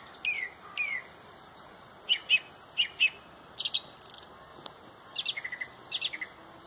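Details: Song thrush leading a sunrise dawn chorus at Pontrobert, loud and beautiful: short bright phrases, some notes repeated two or three times in quick succession, mixed with high thin twitters and trills from other birds.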